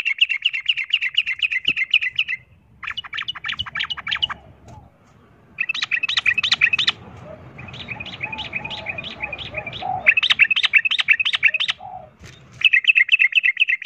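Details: Sooty-headed bulbul fighting song meant to provoke other birds into aggression: rapid bursts of bright chattering notes, several rounds separated by short pauses, with a low rumble of background noise between phrases.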